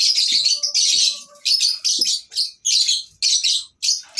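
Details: Lovebirds at a breeding farm, a natural recording meant for tutoring lovebirds that have stopped singing: dense, high-pitched, buzzy chattering in bursts of about half a second, separated by brief pauses, with a few faint lower tones.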